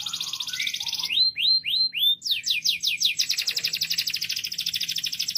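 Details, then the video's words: Loud canary song: a fast high buzzy trill, then four slow rising swooping whistles, then a long, very rapid rattling trill of sharp repeated notes. "طائر الكناري يغرد بقوة.O canário está cantando alto. El canario gorjea fuerte."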